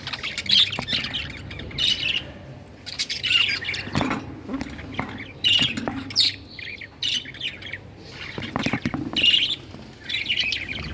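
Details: Parakeets keep up a busy, scratchy chatter of high chirps and squawky notes across eleven seconds, with short pauses and a few louder bursts among the quieter twittering.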